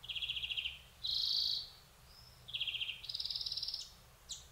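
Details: European greenfinch from Córdoba: high, dry buzzy trills alternating with a longer wheezy drawn note, repeated in quick succession over faint low background hum.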